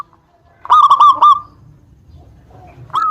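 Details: Local Zebra dove giving a lure song to make rival birds respond: a brief burst of four fast, clipped coo notes after silence, then the start of another loud coo.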